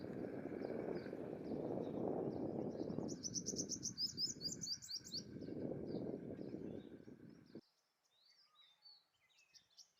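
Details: Male purple sunbird singing to attract a mate, a quick run of high, piercing trilled notes over loud steady roaring background noise, which cuts out near the end, leaving scattered thin chirps in near quiet.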